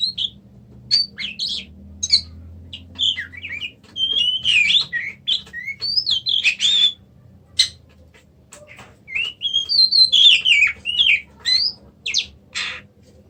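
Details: Long sequence of Oriental magpie-robin song, with twisting whistled notes and sharp chips in energetic bursts, a quieter stretch near the middle, then another loud run of sliding whistles; low hum throughout.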